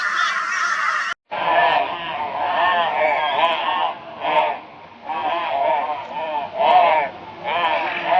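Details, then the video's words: Raucous crow calls aimed at a barn owl, Brisbane, Australia, 22 February 2022. After a short break, lower, drawn-out hoarse caws come in separate bursts with quieter gaps between them. "Crow Reacts to Barn Owl with High Volume Raucous Noise"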